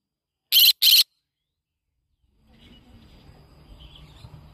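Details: Yellow-sided conure parrot giving a quick pair of loud, harsh screeches, then silence followed by a low rumbling background noise.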